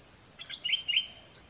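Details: Dok taeng bird in a 2020 training recording for young birds to imitate: a short faint phrase of two or three high buzzy chirps over light background hiss.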